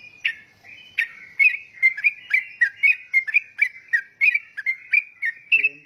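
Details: Energetic yellow-vented bulbul, called trucukan, delivering a steady series of short whistled notes roughly three per second, with a brief low human voice at the very end.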